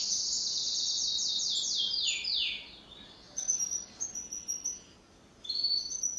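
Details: Pet canary in duet song: a burst of fast descending trills for about three seconds, then quieter scattered high chirps with short gaps.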